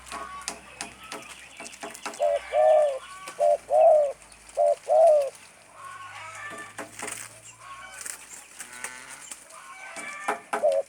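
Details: Tame spotted dove (tekukur) singing in the stuttering 'gagap' style: a run of short, low, rounded coos, some closely doubled, delivered in an uneven stammering rhythm mid-clip, with chirps of other small birds before and after.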